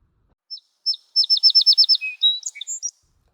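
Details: Song Sparrow singing in a Maritimes marsh setting: a few introductory notes, then a rapid run of about seven bright, metallic notes, ending in a cacophonous jumble of varied chips and trills.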